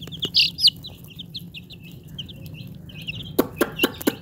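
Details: Domestic chicks running about, giving high, thin peeping chirps in a quick series of short notes, with a few sharp tapping knocks near the end.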